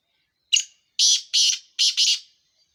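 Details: Black francolin call: a short harsh note followed by four loud grating, buzzy notes in two pairs, in a quiet setting.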